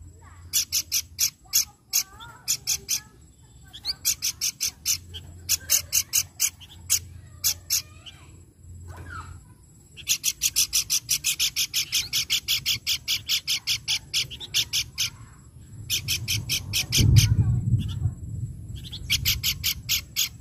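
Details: Pelanduk bukit babbler, recorded to lure birds into singing: long bouts of rapid, rasping, rhythmically repeated notes, some runs nearly continuous, with short pauses, a faint whistle, and a brief low thump near the end.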